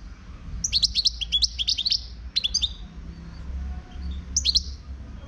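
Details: European goldfinch song from a wild Moroccan bird: a quick, bright jumble of high twittering notes and short trills, a pause with faint background noise, then another brief twittering phrase.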